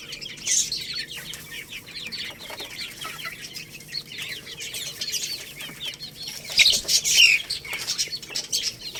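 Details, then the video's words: Young Lohmann Brown chicks, a little rooster and a hen, cheep in a steady busy chatter of high short peeps while eating rice, with a louder burst of chirps near the end and faint pecking and rustling. "Chicks Chirping Sounds"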